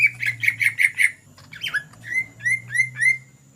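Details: Greater green leafbird singing in the energetic ngetrok style, used as a lure: a fast burst of about six notes, a sweeping downslurred note, then six evenly spaced rising whistles, over a low steady hum.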